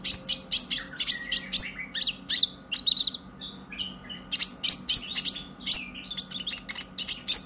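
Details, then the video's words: A brown-breasted purple-throated sunbird, recorded as a lure call for training other sunbirds, sings quick, agitated bursts of very high, sharp, tinny chirps and short trills, broken by brief pauses, over a faint low hum. "Pancingan KONIN Bahan agar GACOR NGOBRA EMOSI - Purple Throated Sunbird"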